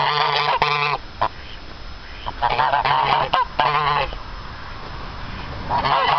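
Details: A pair of geese gives bursts of harsh, nasal honks, a few calls at a time, separated by quieter stretches of background hiss.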